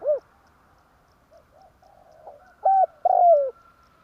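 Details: Spotted dove calling for a trapping lure, tarik akar style: a falling coo, soft low cooing murmurs, then a phrase of a level hoot and a long sliding-down coo.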